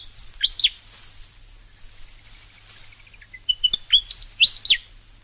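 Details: Willie Wagtail from Australia singing bright, clear whistled phrases of rapid up-and-down slurred notes, an opening phrase then a longer run of chirpy notes after a short pause, over a faint low background hum.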